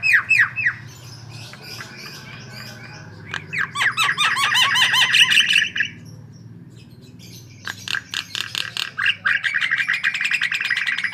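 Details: White-vented myna gacor song for luring: short whistles, a quiet gap, a loud run of down-slurred squawks and chatter, another pause, then fast, buzzy, repeated chack notes to the end.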